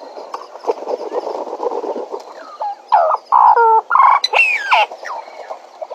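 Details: Bennett's woodpecker at Djuma: a soft background chorus of other birds, then, after about three seconds, loud nasal calls in bursts, some flat and some sharply bending, repeated about three times a second.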